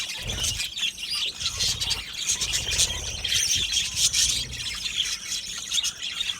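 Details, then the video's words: Budgerigars, Australian parrots, in an aviary colony, singing and chirping together: a dense, continuous high warbling chatter of many birds with rapid chirps and squeaky notes throughout, plus a low rumble underneath. "Budgies singing and Chirping Sounds"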